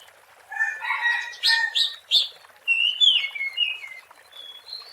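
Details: Wild Oriental magpie-robin, or kacer, song used as a lure for trapping birds: scratchy chattering notes, then clear rising and falling whistles in short phrases.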